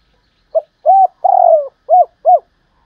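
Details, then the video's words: Decoy spotted dove, described as an exceptional singer: one mellow cooing phrase of two short notes, a longer rolling coo, then two more short notes, in silence. "Cu gáy mồi cây, hót hay 30 con có một"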